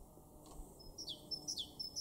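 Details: Great Tit in an April 2023 garden in Weener, East Frisia, northwest Germany: faint at first, then two to three crisp, high, descending two-note phrases repeated quickly in the second half.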